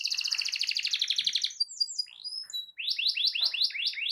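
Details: Domestic canary in full song, played to coax a silent canary into singing: a long, dense rolling trill gives way to scattered high whistles, then a run of quick rising sweeps repeated about five times a second.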